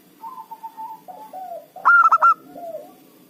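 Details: Local zebra dove used as a lure to draw rival birds for trapping, singing actively: soft descending coos near one pitch, then a loud burst of four quick ringing notes, followed by more low, sliding coos.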